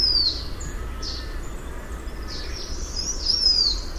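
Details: High, thin descending whistle of a blue-winged minla near the end, the tail of another at the start, with short chirps and low hum between.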